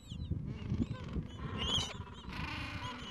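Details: Gentoo penguins in a breeding colony, Falkland Islands, on a mild afternoon with two- to three-week-old chicks at the nests; brief harsh honks and a short high squeal, then a broad raspy bray to the end.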